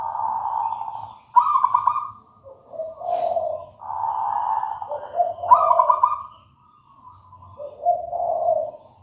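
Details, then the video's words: Zebra dove of local stock in continuous song: alternating low rolling coos and bright higher trills, with a soft low hum underneath. "Suara merdu perkutut lokal alam gacor"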